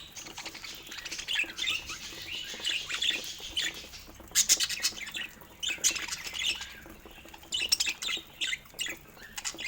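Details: Pet budgerigars during fresh fruit feeding time, giving harsh scratchy squawks and chattering warbles in uneven bursts, with short pauses between louder rasping outbursts.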